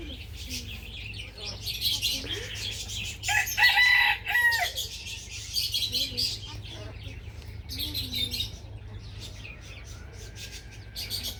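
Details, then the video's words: Several roosters heard in the morning: one loud harsh cock-a-doodle-doo crow midway, with other crows, clucks and chirps from surrounding fowl and small birds, over a low steady hum. "rooster crowing sound effect"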